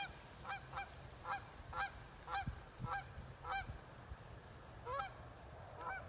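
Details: Wood ducks recorded in 2018: thin whistled notes that sweep up and down, repeated about twice a second in an uneven series, over a steady low rumble.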